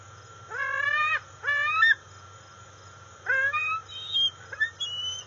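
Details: Wild juvenile female bald eagle, about 18.7 weeks old, at the NCTC nest on August 5, 2020, calling for food as her father arrives with a fish: drawn-out, harsh, whining notes in bursts, followed by shorter squeals, over a low hum.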